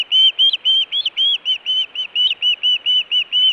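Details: Osprey at the Hellgate nest, Montana, June, food or alert calling: loud, high, rapid whistled notes, some with an upward flick, repeated about four per second without pause.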